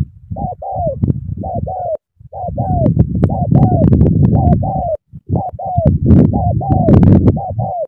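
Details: Spotted dove in a lively cooing bout: rapid paired coos, short then long and falling, almost continuous, partly masked by heavy low rumbling and handling noise.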